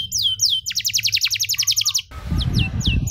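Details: Song of a canary, meant for young canaries learning to sing: a few falling whistles, then a fast rattling trill of short notes, followed by more sliding whistles over a loud low rumbling background.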